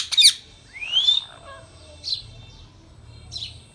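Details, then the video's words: Pet Indian rose-ringed parakeet giving a sharp shrill screech, then a rising whistled note, followed by two softer short chirps over a quiet room with a faint steady high tone. "Indian talking Parrot"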